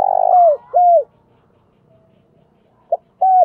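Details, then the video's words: Loud decoy spotted dove: a purring coo slurring downward and a second arched coo, then a short quiet pause, a clipped note and another clear arched coo. "Chim Cu Mồi gáy Gọi To Và Vang Nhất Xóm"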